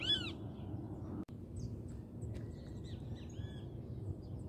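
A loud, harsh, arching great kiskadee note opens, followed by fainter high chirps and squeaky notes over a steady low rumble of background noise.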